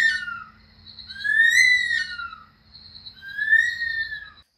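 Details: Night-calling bush stone-curlew from Australia, its famous scream-like cry: shrill whistled wails that swell, arch upward and fall away, two long drawn phrases with a thin high tone between, over a faint constant hum.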